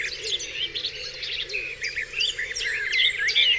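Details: Dawn chorus on Dewlands Common: many birds sing at once, a dense overlapping tangle of high chirps, trills and whistled phrases, with soft low hooting notes beneath.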